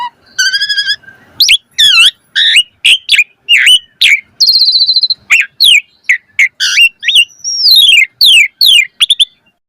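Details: Asian pied starling song meant as a tutor lure for keeping starlings singing actively. Opens with a harmonic nasal tone, then a steady stream of sharp falling whistles, a flat buzzy phrase and a gliding descending whistle.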